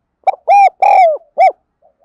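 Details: Spotted dove cooing, used as a lure and for training birds: a short note, two long hollow coos, then a final rounded coo, loud and clear.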